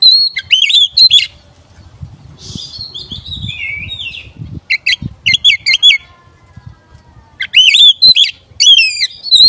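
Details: Oriental magpie-robin song as a provoking lure: bursts of looped whistles and sharp chirps, a scratchy mid-section, a quiet gap, then renewed whistled phrases; soft low rustling underneath.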